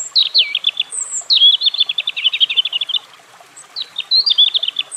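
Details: Song of a European robin, a bright rapid trill of high ticking notes after a sharp whistled opening, a brief pause, then another short burst of high warbled notes.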